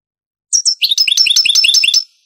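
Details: European goldfinch in Granada-style song, old Spanish recording from the 1980s–90s: two thin high opening notes, then a fast, jangling sequence of liquid twitters lasting over a second.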